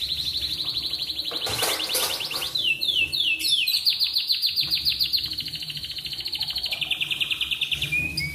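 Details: Morning Atlantic canary song meant to draw song from other canaries: long, rapid high trills, a brief burst of noise, a run of descending slurred notes, then sustained rolling trills shifting slightly lower near the end.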